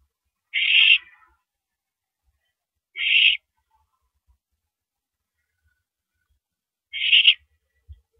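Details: At 9:17 PM on 13 April 2012, during a mouse delivery, an owl repeats a short, hoarse hissing screech three times at uneven gaps of two to four seconds, with faint bumps in the background.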